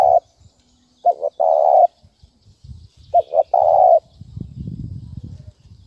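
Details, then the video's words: Two phrases from a spotted dove's thúc bổi lure call, each a short opening coo, a quick double note and a long steady coo. Low background rumble follows the second phrase. "Tiếng chim cu gáy thúc bổi dùng kích mồi rất hiệu quả"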